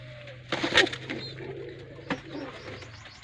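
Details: Pigeon, locally called kabutar, in a village in Sindh, Pakistan: soft low cooing notes among sharp clicks and knocks, over a steady low background hum.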